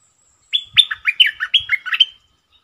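A bulbul gives a quick, bubbling burst of about seven rich, liquid whistled notes, rising and falling, all within under two seconds. Nothing else is heard.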